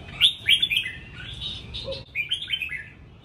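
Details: Caged red-whiskered bulbul kept at home, singing bright, clear whistled phrases that rise and fall, in two bursts of quick warbling notes separated by a short pause; a low background hum underneath.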